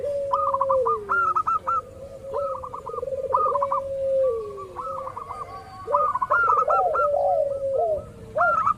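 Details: Local zebra dove lure call to make rivals respond: repeated low trilled coos and long sliding notes, interrupted by frequent clusters of sharp, higher chirps throughout.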